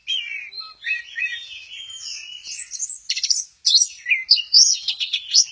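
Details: Orange-headed thrush from Kesamben, swaying in a 'goyang inul' dance, delivers a long varied song of high sweet whistles and slurs, with scratchy, chattering bursts and quick shrill notes running together.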